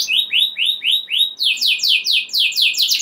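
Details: Canary song meant to excite other canaries into singing, opening with slow upswept whistled notes about four per second, then quicker downslurred syllables repeated in an even rolling series.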